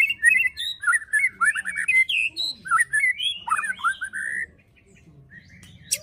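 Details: Murai batu, the white-rumped shama, pouring out a fast fighting-style song of varied whistled notes, rising and falling slurs tumbling closely together for over four seconds before a brief quiet pause.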